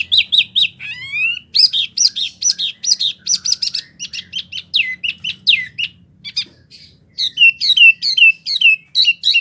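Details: Wambie mini delivering lively song suited to tutoring competition birds: fast, rhythmic series of bright descending whistles and rattles, a short pause near the middle, then more repeated slurred notes.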